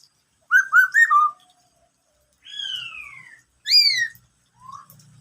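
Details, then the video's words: Black-throated laughingthrush song known as "bắt cô trói cột": three quick clear whistled notes, then a long, drawn-out descending slur and a brighter, higher falling whistle, with faint low rumbles near the end. "em khướu bạc má hót bắt cô trói cột"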